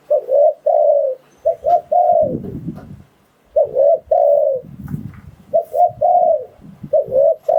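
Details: Spotted dove lure recording for trapping wild doves: repeated phrases of quick low coos ending in a sustained, softly dropping note, with brief rustling noises in the pauses.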